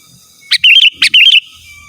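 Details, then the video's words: Two bright bubbly phrases from a sooty-headed bulbul calling rivals, each a sharp chirp rolling into a short fluty warble, close and loud. "Suara Burung KUTILANG GACOR Asli Tanpa ISIAN Ampun Untuk Suara Panggilan dan Masteran"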